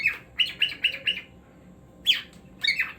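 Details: A pet cockatiel's rapid raspy chirps, five quick even notes roughly a quarter second apart, a pause, then two louder sweeping squawky calls, steady low hum behind.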